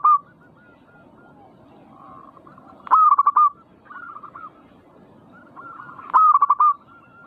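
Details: Perkutut, the zebra dove, singing in manggung style to stir other birds into song. Two bold phrases of quick rolling coos, about three seconds apart, rise over a steady bed of softer cooing from more doves.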